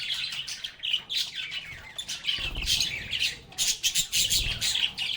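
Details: A group of lovebirds chirping and chatting: shrill, busy twittering with harsh squawks, plus low thumping rumbles partway through and near the end.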